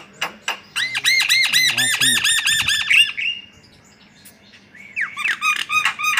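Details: White-vented myna giving a fast, rhythmic string of harsh, arched notes for about two seconds, then falling quiet before a second, shorter burst.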